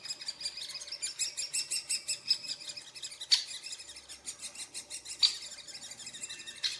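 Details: At a nest in Furuberget near Hamar, Norway, in summer 2017, a great spotted woodpecker site gives rapid, high, rasping notes repeated several times a second, broken by three loud sharp clicking calls; handheld Panasonic Lumix FZ2000 recording.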